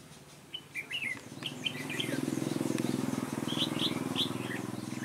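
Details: Red-whiskered bulbul singing ché-style at a trap on 3 March 2018: quick, chattering warbled phrases rising and falling, one burst early and another near the end, backed by a loud, throbbing low engine-like rumble.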